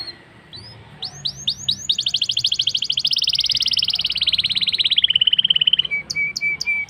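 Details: Black-throated canary singing a lively lure song meant to prompt canaries to sing: a few rising upslurred notes, then a long fast trill of clipped notes drifting slowly downward, ending in short flat whistles.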